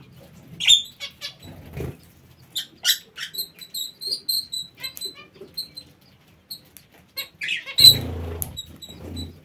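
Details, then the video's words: Aviary parakeets give rapid clicking and high chirping notes in quick succession, with a low thump near the end. "Aviary bird | Parakeets"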